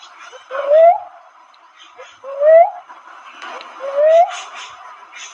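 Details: Cuckoo-dove, locally called manok manok, giving low rising whistled hoots repeated about every one and a half seconds over a background of murmuring noise.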